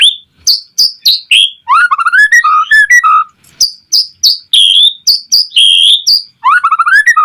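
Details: White-rumped shama song used to provoke other shamas to sing: clear loud whistled notes repeated in quick series, mixed with rising rippling phrases and short downslurred whistles, rich and varied throughout.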